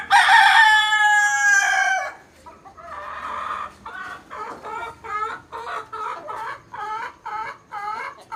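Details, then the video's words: Desi rooster crowing once for about two seconds, loud and harmonic, then a run of soft repeated clucks, roughly two per second, trailing off. "Rooster Crowing Compilation Plus | Rooster Crowing Sound Effect | Desi Rooster Crowing Video"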